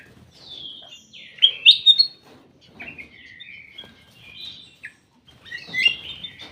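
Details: Ruby-throated bulbul in a private aviary uttering clipped, sweet warbled notes in irregular groups, loudest early, with softer chattering phrases and pauses in between.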